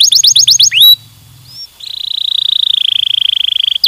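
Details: Canary song meant to stimulate other birds: a rapid burst of bright rising notes repeated about eight times, a short slurred whistle, then a long, even, high trill that buzzes steadily for about two seconds before a final sharp note.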